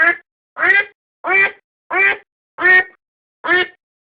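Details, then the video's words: Decoy recording of a domestic duck giving six short, throaty quacks in quick succession, each coarse and buzzy, spaced about half a second to a second apart, with clean silence between them. "アヒルの鳴き声 おとり用"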